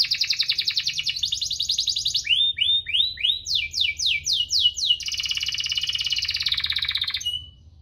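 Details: Canary's 'cuit-cuit ngerol' song, played to spur reluctant canaries: a dense high trill, then slower swooping notes rising in pitch, a quick descending series, and a long buzzy rolled trill that fades out.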